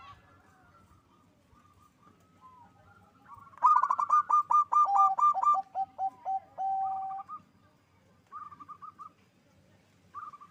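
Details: Captive local zebra dove in Bekasi, West Java, a strong singer whose voice is meant to raise mating drive. After near silence, a loud burst of rapid rolling coos leads into a long low note, then softer trills.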